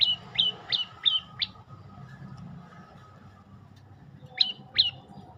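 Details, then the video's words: Olive-backed tailorbird song: five loud, high, down-hooked notes in quick succession, then a silent gap of about three seconds, then two more matching notes. Faint low rumble underneath. "Kicau indah burung prenjak lumut"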